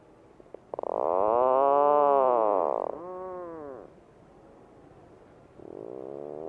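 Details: Puffin giving a long, drawn-out, moaning call of about two seconds, rich in harmonics and arching in pitch, followed by a shorter similar note and, after a pause, a fainter third moan.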